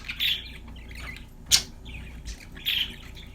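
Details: Singing budgerigar: a few short, scratchy warbled chirps and one sharp, loud click-like note midway, separated by quiet pauses, over a low hum.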